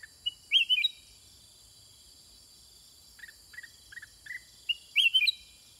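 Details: Sooty-headed Bulbul kept in a cage, calling in reply to wild birds. Bright, quick whistled phrases open and close the passage, with several soft, short chirps scattered in between.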